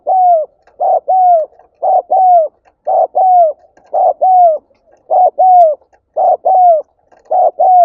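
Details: Spotted dove coo used to prompt other birds to call, with clear two-note phrases, a clipped first note and a drawn-out falling second, repeated regularly roughly every second with short silent gaps.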